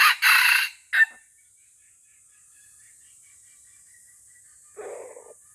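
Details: F1 junglefowl with white legs from Aceh, kept as a lure bird, gives two loud harsh crow bursts in quick succession, followed by a long quiet gap and a softer, lower rasping note near the end.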